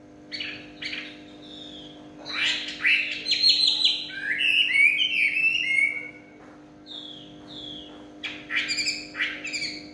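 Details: Chinese hwamei singing in the evening: bright, rapid, varied phrases of sweeping whistles and trills, with bursts of loud notes in the middle and again near the end, separated by brief pauses; a steady low hum underneath.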